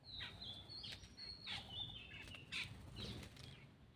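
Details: Black-winged myna feeding, giving thin whistled notes that hold level or slide up and down, mixed with short harsh broadband bursts and clicks at a quiet level, over a low background hum.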